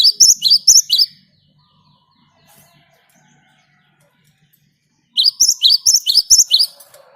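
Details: Great tit singing in the wild, the energetic rolling song used to prompt other birds: a few rapid high two-note phrases, a long quiet stretch, then a second lively run.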